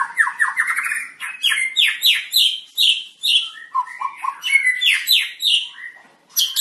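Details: Long-tailed Medan white-rumped shama being paired for breeding, singing continuously: rapid runs of rising whistled notes, clear downslurs and buzzy high trills repeated in quick succession, with almost no pauses.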